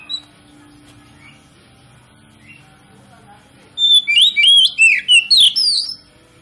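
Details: Oriental magpie-robin song used as a lure to stir other magpie-robins into singing: after near silence, a rapid two-second burst of sharp whistled notes, rising and falling slurs packed closely together.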